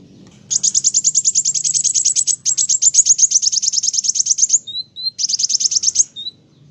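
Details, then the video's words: Olive-backed sunbird delivering a sustained, very rapid, high-pitched trill lasting several seconds, broken briefly by a few thin, pure whistled notes before the trill resumes. "Burung Kolibri wulung ( kowul ) gacor"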